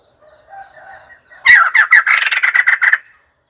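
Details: White-crested laughingthrush: soft, low warbling phrases give way to a loud, harsh, cackling burst of about nine rapid notes over one and a half seconds. A faint, steady high ticking runs in the background.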